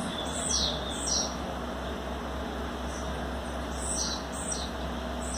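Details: A 60-day-old captive blue-black grassquit chick from Bangu, Rio de Janeiro, practising its song refrain: brief, high, buzzy chips, about five in five seconds, over a steady low hum and hiss.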